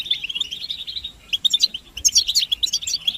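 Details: European goldfinch twittering meant to set males singing and show mating readiness: a short, fast trill, a brief lull, then loud clusters of sharp, ringing high chirps.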